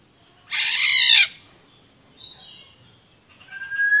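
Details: Black-naped Oriole lure recording: one loud, harsh nasal squawk lasting under a second, then near quiet with faint murmurs and a final clear rising whistle. A steady high tone is present throughout.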